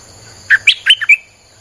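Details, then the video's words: One quick burst of Streak-eared bulbul song, a lure for wild birds: five sharp, chattering notes stepping up and down within half a second, with a soft low hum and a steady high whine underneath. "Suara pikat merbah lekir"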